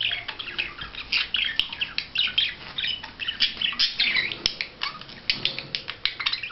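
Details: Courting budgerigar producing a fast, unbroken chatter of harsh squawks, chirps and trilled warbling notes, rising and falling in quick succession.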